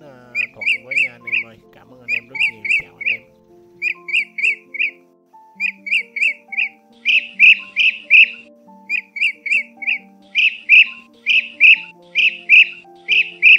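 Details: Recorded lure track of blue-throated bee-eater song: bright rolling notes in quick bursts of about four, repeating every second or so over soft background music; blue-throated bee-eater.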